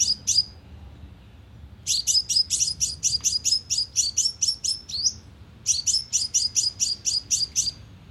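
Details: Sunbird lure call, lively, played through a loudspeaker to draw birds to a trap: bursts of sharp, high, bright chips repeated rapidly, about four per second, separated by short pauses.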